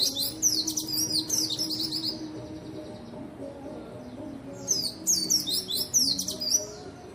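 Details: White-eye singing energetically, used as a lure and training song to stimulate white-eyes that are reluctant to sing; high, rapid twittering bursts of descending chirps, a quieter gap midway, then renewed bursts over a low tonal background.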